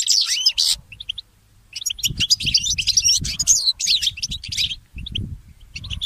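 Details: Goldfinch mule singing at dawn: a loud twittering burst, a brief pause with a few soft notes, then a long run of rapid, varied chirps and warbled trills, with low thuds below.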